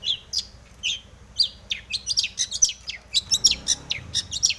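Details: Aroused long-tailed shrike singing a varied, mimicry-filled song meant to lure other shrikes into song: rapid high chirps, slurred whistles and scratchy notes tumbling over one another, with a faint low hum beneath.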